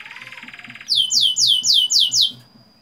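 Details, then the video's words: Canary lure song for young birds: a soft rapid rattle gives way to six loud, evenly spaced downslurred whistles, each sweeping sharply from high to lower pitch. "Pancingan kenari paud ngeroll panjang, agar cepat ngeriwik dan gacor"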